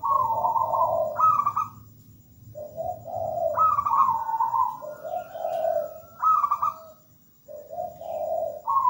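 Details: Zebra dove, a local perkutut, singing repeatedly: purring, tremulous coos alternating higher and lower notes in phrases about every two seconds, with a faint steady high tone behind.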